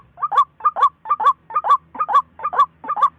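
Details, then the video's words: White-breasted waterhen calling: a rapid series of paired, throaty mid-pitched notes, the second louder, repeated about twice a second with steady rhythm; faint low hum underneath. "Tiếng chim Quốc Mặt Lem"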